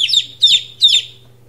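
Two-day-old chicks give three loud, shrill peeps about half a second apart, each sliding quickly downward in pitch, over a faint steady low hum.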